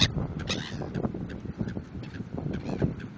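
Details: Seagulls at Cape Town, described as hungry, call in short nasal bursts near the start and again toward the end, with strong wind buffeting the microphone throughout.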